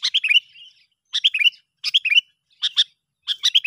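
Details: Sooty-headed bulbul lure call for attracting other bulbuls: bright descending chirped phrases of three or four notes, repeated about every second with short silent gaps.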